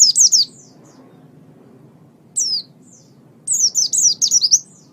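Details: Master-recording song of a pet oriental white-eye for training other songbirds. A quick high twitter, a long pause, one single slurred note, then a rapid string of about six sharp, descending chirps.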